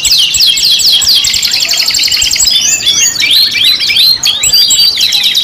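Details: Canary lure song: quick descending chirp series repeated rapidly, then looser whistled sweeps and warbles, loud and unbroken throughout.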